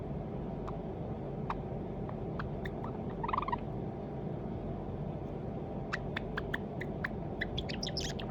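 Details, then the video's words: White Java sparrow, probably male, a pet raised from a chick, practising its song indoors: scattered sharp clicks, a brief buzzy note near three seconds, then a quicker run of clicking, tinkling notes toward the end, over a steady low hum. "文鳥さん さえずり練習 java sparrow"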